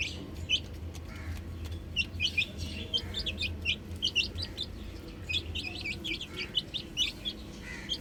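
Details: Baby chicks on a roof peep in clustered runs of thin, high, downward notes, with short gaps between bursts and a low droning background.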